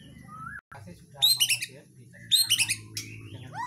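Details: White-rumped shama of Borneo or Nias stock, singing vigorously: two short bursts of rich, chattering, whistled notes climbing high, separated by a pause, over a steady low hum and a few rising slurred whistles.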